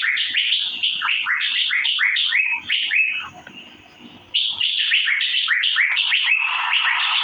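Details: Asian fairy-bluebird, known locally as cucak biru, chirping in dense runs of quick, downslurred notes, with a brief softer lull near the middle before the rapid chatter resumes and continues to the end.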